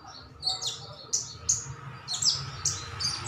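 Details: Sunbird known locally as sogon, sogok otong or sriganti, calling to draw a response from other birds: quieter, sharp high ticks and short down-slurred chirps repeated rapidly, with low background hum.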